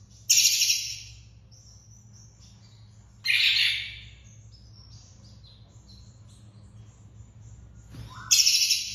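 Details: Long-tailed shrike from a captive-bird training recording: three loud scratchy bursts spaced about four seconds apart, with thin high whistles and chatter between them and low hum throughout.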